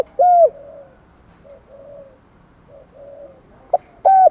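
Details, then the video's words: Spotted dove stimulating coos: one loud hooked coo at the start and another at the end, separated by a soft, drawn-out murmur of quieter cooing and a brief click-like note. "cu gáy kích bổi - cu gay kich boi nhanh noi gù"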